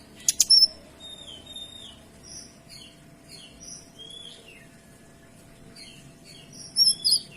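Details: Kinoy in full song as tutor material: a sharp opening chip, then a string of clear high whistled slurs, some descending, ending in loud high twittering phrases.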